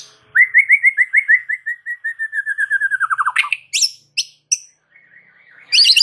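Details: Masteran of the white-rumped shama (murai batu), a song meant to set other shamas singing: a long rapid series of about twenty whistled notes slowly falling in pitch, then sharp buzzy bursts and a soft chattering trill.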